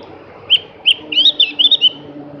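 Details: Javan grey-throated white-eye, locally cak gentong, opening with two spaced whistles, then a quick twittering run of slurred notes, over a low steady hum.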